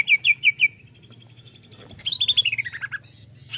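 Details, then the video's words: Greater green leafbird, cucak ijo, described as rousing quickly to excitement; a few loud repeated chirps, a soft twittering pause, then a fast descending cascade of bright notes. "CUCAK IJO lain cepat sekali emosi pancing c ijo ini"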